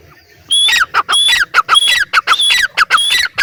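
A grey francolin calling loudly: harsh, shrill, ringing notes repeated rapidly, close to two per second, with a higher piercing overtone and no other sounds.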